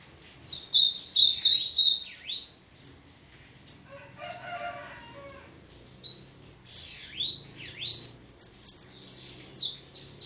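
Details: Sibite song from Parnamirim, Rio Grande do Norte: bursts of high twittering and steep slurred whistles, a brief pause with a lower fluttering sound, then more swooping high notes.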